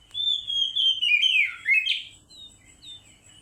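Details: Oriental magpie-robin song played to coax another bird into singing: a clear whistled phrase sliding down and wavering, then a few short high whistles spaced apart, with a faint low hum beneath.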